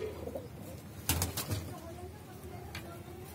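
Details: Saharanpuri pigeon, a domestic breed kept as a hobby, giving a low, soft cooing note early on, followed by sharp clicks and knocks and a faint ongoing coo under background noise.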